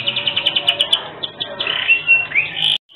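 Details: Energetic canary song with distinctive phrasing, meant as a tutor recording for other birds: quick clipped notes repeated in a rapid series, then smoother rising whistled slurs and a short sustained buzzy note before an abrupt stop.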